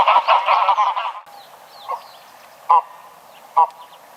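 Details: Greylag goose with a loud burst of clustered nasal honks for about a second, then three single, quieter honks spaced out over a faint background.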